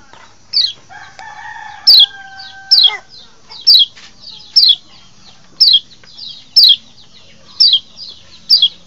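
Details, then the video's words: Lombok white-eye (kecial), a lure recording meant to draw and excite wild birds, gives sharp, high, falling chirps about once a second; a low, steady two-toned whine sounds briefly early on. "masteran untuk mancing birahi burung kecial"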